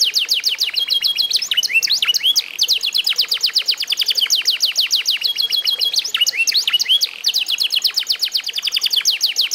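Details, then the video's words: Eight-month-old F1SF canary singing its trained song: long unbroken stretches of very rapid, high falling trill notes alternating with brief twisting chirp phrases, loud and continuous for nearly ten seconds. "REVIEW HASIL MEMASTER BURUNG KENARI F1SF UMUR 8 BULAN"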